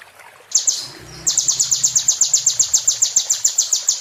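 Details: Sunbird song used to teach caged birds: after a faint, hissy start, a steady rapid series of very high, sharp, slightly downslurred notes, about four per second.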